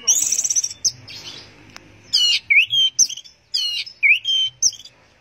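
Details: Orange-headed thrush singing teler style: a high buzzy trill, then separated bursts of loud, rich notes with dropping slurred whistles, repeated in quick groups, with a faint hum behind.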